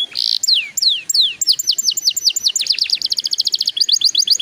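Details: Canary singing to get young canaries singing sooner: long downward-sweeping whistles lead into a quickening series of descending notes that speed into a rapid trill near the end.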